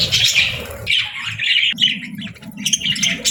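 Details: Budgerigar parents and chicks; bursts of bright chirpy chatter separated by short gaps, with soft low-pitched murmuring beneath throughout.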